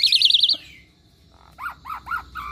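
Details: Asian pied starling, a pet bird that picks up other birds' sounds, gives a fast warbling trill, a quiet pause, then four lower rounded whistled notes in quick series.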